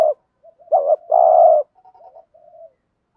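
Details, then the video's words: Spotted dove 'gù thúc' coo, used to stimulate new doves to call: a brief note, a doubled hooting syllable, then a sustained buzzy low coo lasting about half a second, with soft faint murmurs after. "thuc gu chim cu gay kich bổi/ cu cườm gù thúc bài bản giúp bổi rất xiếng gáy"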